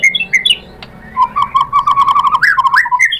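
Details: White-rumped shama, used to make a rival answer: short whistles followed by a fast, even trill of low notes and a few rising slurs.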